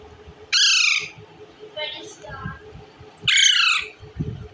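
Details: Indian ringneck parakeet, green, eating bread: two loud harsh squawks about three seconds apart, with softer chattering notes between them and low rustling noise.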